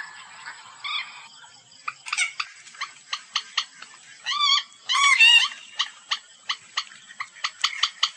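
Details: White-breasted waterhen call used as a hunting lure: rhythmic, nasal, harmonic notes repeated about twice a second, with a few longer wavering cries, and a steady high tone in the background.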